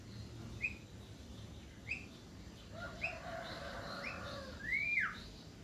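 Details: Javan myna (jalak kebo) singing steadily: short high chirps, then a loud whistle that rises and falls sharply, with faint extra whistles behind it.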